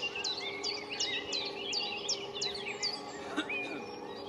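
A common chiffchaff sings a steady run of high, sharply falling chiff-chaff notes, several each second.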